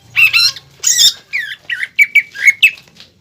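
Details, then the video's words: Greater green leafbird in contest-style song for training caged birds, 'pelatuk bawang' filling; rough squawky notes followed by short clipped whistles repeated at an uneven pace. "PANCINGAN DAN MASTERAN CUCAK IJO GACOR ISIAN MEWAH PELATUK BAWANG"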